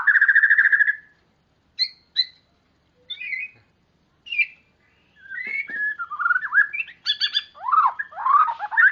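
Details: Energetic gacor white-rumped shama singing, meant to coax mute or young birds into song: a loud sustained whistle, scattered short chips and pauses, then a continuous tumbling flow of varied whistled and sweeping phrases.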